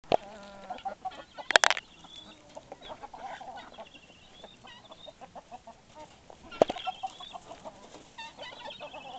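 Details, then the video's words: White Leghorn chicken with its flock: scattered short clucks and a few sharp squawks, with overlapping soft calls from several birds throughout. "White Leghorn"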